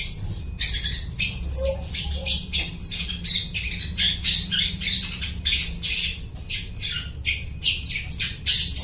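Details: A long-tailed shrike imitates other birds in a fast, scratchy chatter, the song used as a lure for trapping; dense harsh notes follow one another steadily, over a faint low hum.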